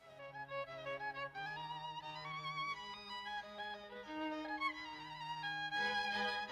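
Fiddle music plays a lively melody over low sustained bass notes, with no animal sounds.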